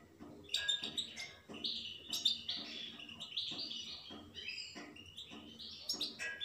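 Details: European goldfinch delivering a fast, chattering twitter of chirps and buzzy trills in continuous phrases, with faint low tapping and background hum.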